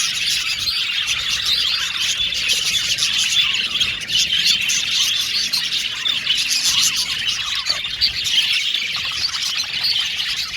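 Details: Male blue and violet budgerigars in a colony aviary chatter without pause, a dense bright wash of overlapping chirps, twitters and short squeaks from many birds over the whole stretch.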